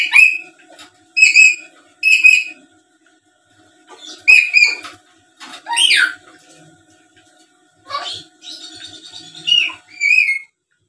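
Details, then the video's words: Black-capped lory chattering and calling, used as a lure so that rivals answer quickly. Several ringing whistled calls are followed by harsher rising squawks and scratchy chatter over about ten seconds. "Suara Asli Burung Nuri Paltem Gacor Pintar Ngomong dan Ngoceh² Buat Pancingan"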